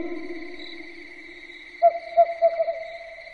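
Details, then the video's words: Night-time owl call: after a stretch of low humming drone, a quick burst of hollow hoots starts and speeds up into a short tumbling run, with a constant shrill tone behind. "SUARA BURUNG HANTU MALAM HARI"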